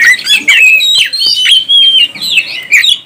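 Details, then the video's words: Brief burst of oriental magpie-robin song aimed at rousing other birds: sweet sliding whistles and sharp chip notes in quick phrases. "NAIKAN EMOSI BURUNG KACER ANDA"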